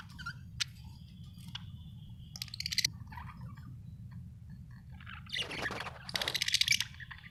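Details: Budgerigar chirping: a few sharp, scratchy chirps and a thin held whistle early on, then two bursts of harsh, buzzy, broadband chatter, the longer one near the end, over a steady low hum.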